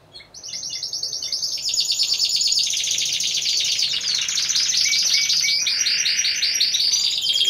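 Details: Four Timbrado Español canaries competing as a team in category C1, November 2015: song swells from soft notes into sustained fast high trills and buzzy rattling rolls.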